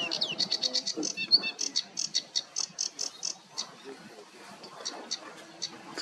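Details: A sedge warbler sings a fast, chattering run of rapid repeated notes, high scratchy ticks and buzzes, while a man quietly commentates underneath; Ham Wall RSPB Reserve, 14 May 2023.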